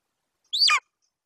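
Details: At a Bucovina nest on 27 July 2021, a young male golden eagle stands over a Eurasian hare from his mother and gives one loud, shrill squeal that rises sharply then slurs downward, lasting a quarter second, with silence around it.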